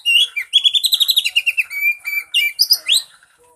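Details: Lure song of an Oriental magpie-robin for prompting a silent bird: continuous rich, varied whistling, with quick repeated chirps, a longer steady whistled note, and rising sweeps near the end before it fades.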